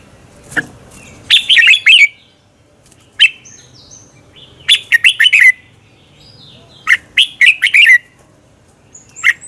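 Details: Red-whiskered bulbul singing in the morning for training other bulbuls into competitive song: a click, then several phrases of cheerful, bubbling warbled notes repeated every two to three seconds, with soft thin notes between.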